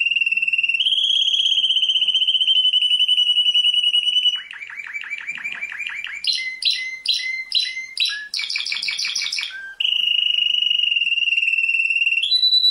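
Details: Song of a world-champion canary: long, steady, high trills slide between pitches, then give way to a rapid buzzy roll, a series of quickly repeated chopped notes, and a return to a sustained ringing trill.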